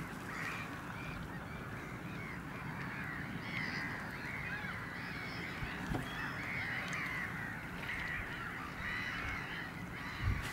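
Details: Caspian gull, the same individual throughout, recorded on 9 March 2016. A series of faint, nasal call notes repeats across the recording over a steady, noisy background.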